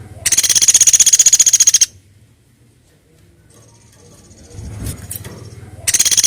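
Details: Woodpecker call played as a bird lure: a loud, harsh, fast pulsed rattle lasting about one and a half seconds, then near silence with a few knocks, and another rattle beginning at the end.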